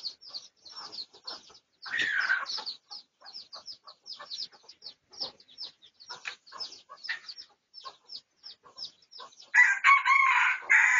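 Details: Red junglefowl of the Thai pradu (dark red) colour, research recording dated 18 August 2023; dense run of short, high clucks and chirps, one louder harsh call near two seconds, and a broad, rasping burst at the end.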